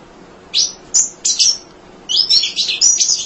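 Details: Munia, kept as a tutor bird for other songbirds, sings without tiring: bright, high chirps and short whistled slurs in two quick bursts, the second a rapid run of about six notes.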